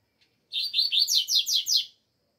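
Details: Double-collared seedeater (coleiro) singing a quick phrase of about six bright, buzzy, slurred notes, each sweeping downward, delivered in a steady run lasting just under one and a half seconds against a quiet background.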